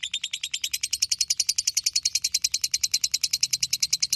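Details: Master song of a lovebird ngekek for training other birds, heard as a steady, piercing chatter of rapid, evenly spaced notes, very regular and continuous throughout, with a light low hum underneath.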